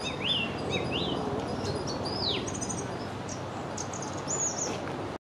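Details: A song thrush singing from a tree beside the Long Water: clear, varied whistled phrases, some swooping up and down and some repeated, over a steady low background rumble.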